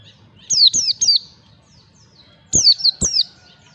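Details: White-eye lure recording of ngalas-style song for training birds: bursts of three sharp, high whistled notes, each sliding steeply downward, given twice with a pause of about one and a half seconds between bursts.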